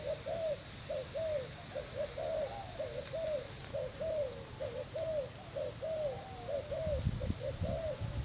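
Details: Decoy spotted dove of Thai stock, recorded on 18/06/18, giving a long run of evenly spaced arched coos, roughly one per second, with faint low rumbling noise underneath.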